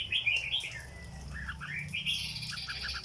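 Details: Red-whiskered bulbul kept as a cage bird, in the song style called 'rong dok'. Short whistled notes around the middle-high range, then a later series of quick, evenly spaced chirps, over a steady low hum.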